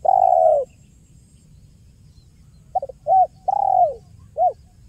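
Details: Spotted dove used for trapping lures: a long soft coo, a pause, then a run of short clipped notes around a downslurred coo, mellow and clear.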